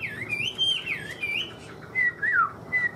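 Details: A hobbyist's Chinese hwamei delivers clear whistled notes that bend and slide, some falling steeply, in short bursts separated by brief pauses; quiet background hum.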